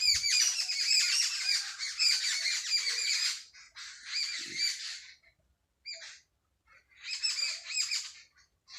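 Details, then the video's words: Sparrows in a village at early morning, chattering chirps in several bursts separated by short quiet gaps, the chorus thinning out toward the end. "صبح سویرے گاؤں میں چڑیوں کی چہکار"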